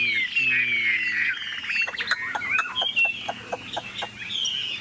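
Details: Caged Chinese hwamei singing after a brief low male voice: bright descending whistle, then a jumble of quick clicks, slurred notes and short rising whistles.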